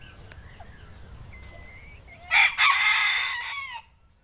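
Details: A six-month-old jumbo Pelung rooster, which began crowing only days earlier, gives a short, hoarse, still-developing crow in the morning.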